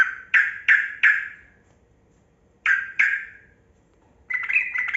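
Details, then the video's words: Yellow-vented bulbul, kebo type, giving lure song to prompt reluctant bulbuls to sing: loud harsh descending notes, three quick then two more after a pause, ending in a short warbling phrase. "Trucukan Kebo Gacor Ropel Panjang Pancingan Burung Buka Suara"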